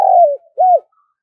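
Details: Fragment of a spotted dove's luring call: one long smooth coo slurring downward, then a short arched note.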